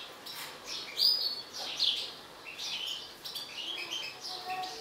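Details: Agitated mutant European goldfinch singing bright, high twittering phrases with sharp chirps about once a second, the louder notes standing out near the start.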